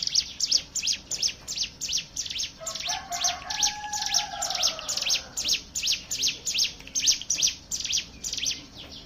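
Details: Hill prinia singing as a lure for other birds: a continuous string of sharp, high, down-and-up chips. A softer, lower, drawn-out warble from another bird runs underneath in the middle.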